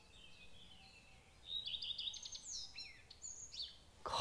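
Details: Male Common Redstart singing in trees overhead in spring oak woodland, a migrant arriving to breed; high whistled notes lead into twittering, slurred and descending phrases, ending with a sharp rustle of nearby noise.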